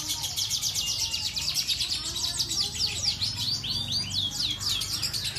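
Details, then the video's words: Canary in long-roll song: a fast, continuous run of high rolling trills and chirps with rapid sweeping notes, over a soft low background hum. "KENARI TOP PERFORM"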